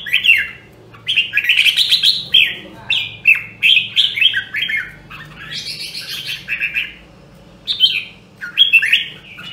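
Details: Red-whiskered bulbul from Nam Đông, Huế, trained for its voice, delivering rapid chains of clear whistled and slurred notes in bursts, with a short lull mid-way before more ringing phrases; faint background hum.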